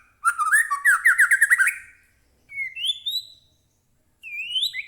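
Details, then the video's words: White-rumped shama (murai batu), captive, singing to provoke another bird into song: a loud fast burst of rich warbled notes, then two rising slurred whistles separated by pauses. "murai batu gacor AMPUH buat pancingan murai batu agar bunyi"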